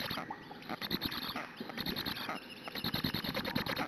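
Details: Hungarian black stork chicks at their nest on a June 2017 morning, begging persistently for food from a parent; fast, raspy chattering pulses run almost continuously, rising and falling in intensity.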